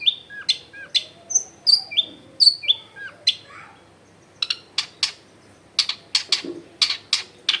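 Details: Long-tailed shrike singing as lure material for quiet shrikes, recorded at home in a busy neighbourhood: clear high downslurred whistles, a brief pause, then a series of sharp, scratchy buzzes.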